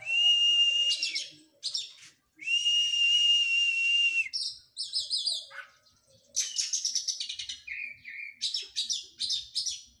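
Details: Oriental magpie-robin in training after moulting: two long, steady whistles, each held about two seconds, followed by quick looping notes and dense, rhythmic chattering phrases.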